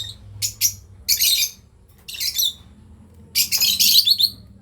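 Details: A lovebird breeding pair calling in shrill, rasping chirps, some as quick doubled notes and others as longer buzzy bursts, with gaps of about a second between groups.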